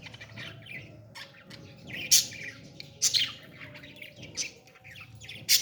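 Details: Parrot chick at feeding time, with low scratchy chatter broken by loud, shrill squeaks roughly once a second.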